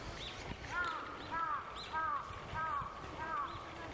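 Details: A bull-headed shrike at Mizumoto Park, Japan, on 8 May 2021, where a shrike parent and its young were filmed, gives harsh, nasal, arched notes about every two-thirds of a second, with fainter high chips from other birds behind.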